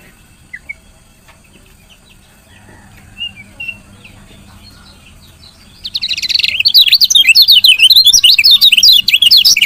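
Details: A female lemon-bellied white-eye gives its stimulating chirps for males: faint isolated notes at first, then from about six seconds a loud, fast stream of high, wavering chirps to the end.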